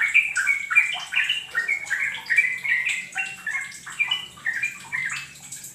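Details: Sooty-headed bulbul song played as a lure to get other birds singing; bubbly, liquid phrases of falling and rising whistled notes, repeated about every second in a lively chatter, faint low hum beneath.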